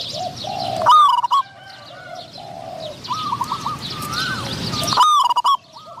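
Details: Decoy Spotted dove luring wild doves while a wild bird with a medium voice responds; two loud broken coo phrases about four seconds apart, softer distant coos between, light chirping of other birds.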